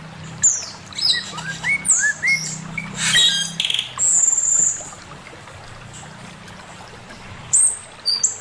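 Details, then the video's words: Master song from a male Chinese hwamei: descending sequence of quick rising whistles, a brief harsh burst, a long high steady note, then quiet before sharp whistles return. "Burung poksay mandarin suara masteran Poksay mandarin jantan"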